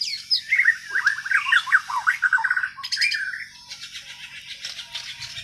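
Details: White-rumped shama of Borneo (Kalimantan) singing its natural untutored song: a loud tumbling series of rapid warbled whistles, then scratchy buzzy phrases fading softer toward the end, low hum in background.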